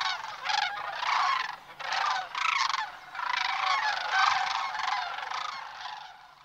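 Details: A migrating flock of Sandhill Cranes in Nebraska's Platte River Valley near Sutherland, on the morning of March 18. Many birds give loud, rolling, rattling bugles at once, overlapping in a steady chorus.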